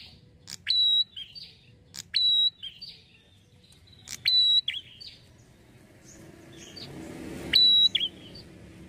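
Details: A prinia, a lure recording used to provoke other prinias into answering, gives four loud, sharp, high bursts, each a clipped note then a brief ringing tone, about half a second long, with pauses of one to three seconds.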